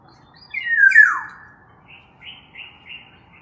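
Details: Black-naped oriole uttering a strong falling whistle followed by several short softer buzzy notes, low hum in the background.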